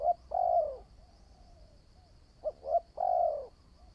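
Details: Spotted dove in training as a decoy bird: a long mellow falling coo, a pause, then two short hoots leading into another sustained coo, with a soft trailing note and a faint steady high hum.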